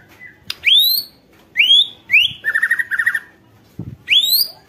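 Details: White-rumped shama song used to provoke shamas to sing: rising slurred whistles with a short rattling trill between them.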